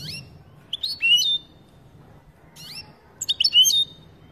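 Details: European goldfinch giving "pat-pat" calls meant to excite another goldfinch: two quick bursts of bright, liquid twittering notes about two seconds apart, over a faint low hum.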